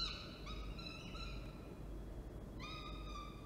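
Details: Orange, NSW, 19 October 2024: a falcon pair during a food delivery by the male, the female feeding. Several level, nasal wailing calls, a quiet gap, then one long drawn-out cry, over low noise.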